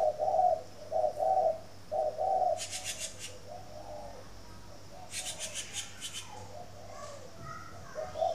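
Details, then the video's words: Morning coo of a spotted dove from a breeder's bird garden in Ba Vì, Hanoi, Vietnam: three low, mellow coo phrases open the recording, then rustling bursts and softer muffled coos, with steady background hum. "CHIM CU GAY HAY mỗi buổi Sáng"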